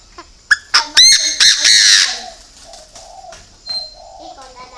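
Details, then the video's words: Chinese francolin kept as a decoy, its loud grating call building from short staccato notes to a long rasping final note, followed by soft low cooing from another bird in the background. "chim đa đa mồi"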